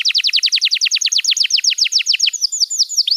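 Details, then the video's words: Training song for young canaries: a canary delivers a rapid run of downward-slurred chips, about seven per second, easing into slower, softer sweeping whistles. "Masteran Kenari PAUD & Pancingan Kenari MACET BUNYI‼️"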